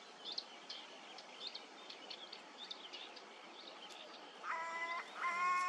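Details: Crow perched, recorded 25 June 2022 and noted for an unusual voice; thin chirps from small birds fill the first seconds, then two drawn-out, nasal, harmonic-rich calls close the recording.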